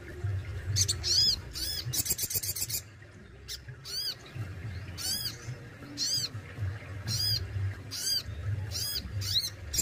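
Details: Kept Crimson Sunbird (sogon) in full singing form, performing besetan and tembakan song styles: high, thin, arched notes repeated at a fast, uneven pace, broken by a brief dense buzzy burst, over low background rumble.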